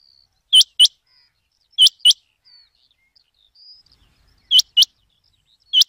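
Rain quail giving sharp, high, metallic double notes, 'which-which', repeated every one to three seconds, with faint thin whistles in the quiet background.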